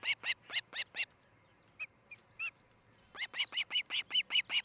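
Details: Nest-camera recording of an osprey at Charlo, Montana, July 13, 2018: loud bursts of clear, piping chirps repeated several times a second, a short pause with a few scattered high notes, then another fast chirping series.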